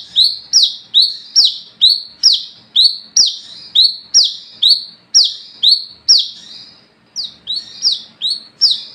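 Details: Wiceh, the olive-backed sunbird, in vigorous night song for training and luring others: a steady string of high, thin notes each dropping sharply in pitch, about two per second, slightly faster near the end.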